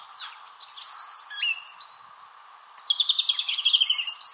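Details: Song thrush singing from a tree in Wrestlingworth, Bedfordshire, UK, in April, competing with another nearby thrush; loud, varied phrases of sharp repeated notes and rapid high chirps, with brief pauses between bursts, captured with on-camera microphones.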